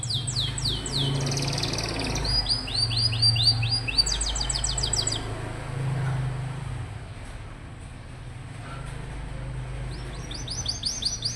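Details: Canary singing to prompt young, rarely singing canaries to respond: a few bursts of quick descending whistles and a metallic rattle, then a long quiet gap before more whistles, over steady low engine-like hum.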